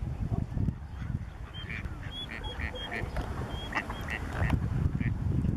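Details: Gadwall courting a mallard, giving short, nasal, high calls in quick, irregular bursts over a steady low rumble of wind or water.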